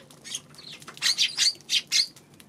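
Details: Eurasian tree sparrow on 2 March: a rapid string of five or six bright, high chirps in about one and a half seconds, each note short and slightly buzzy, after a quieter lead-in.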